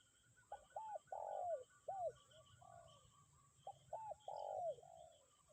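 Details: Spotted dove used as a lure bird keeps calling despite strong wind; repeated phrases of short hooked coos then a long drawn coo that slides down, two phrases, faint other bird notes and low wind noise.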